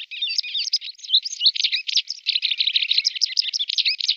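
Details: White wagtail (Motacilla alba) delivering an unbroken, fast, high twitter of jumbled chirps and short warbled notes, about three per second or more. It stays loud and busy throughout.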